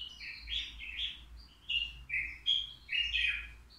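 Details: A caged European goldfinch, three years old, at the Al Qriaa bird market. Its song, said to be faultless, is a steady stream of liquid chirps and short trills, with louder accented notes about every half second.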